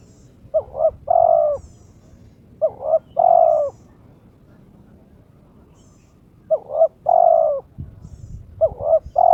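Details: Spotted dove (terkukur) in breeding condition challenging a rival, owned bird: four three-part coos, two brief notes then a longer rolling coo, with a pause mid-clip and faint high chirps overhead.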